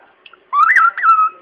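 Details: Pet bird mimicking the theme tune of The Good, the Bad and the Ugly, giving a pure whistled phrase with two rising swoops before a steady held note.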